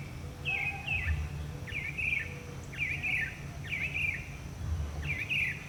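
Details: A northern mockingbird repeats the same short, slurred whistled phrase about once a second during a long, varied singing session. Faint low tones and steady background rumble can be heard.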